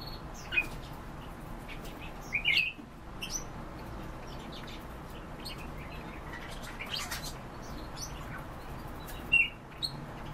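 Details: Rolling, liquid trills of European bee-eaters, a single note early, a tight cluster of several notes, then another pair near the end, set against soft background hiss and scattered faint clicks.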